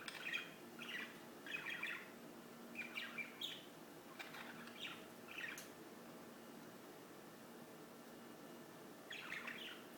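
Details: Bird chirps come in bursts for the first six seconds, then fall quiet before a final twittering phrase; a soft low hum continues.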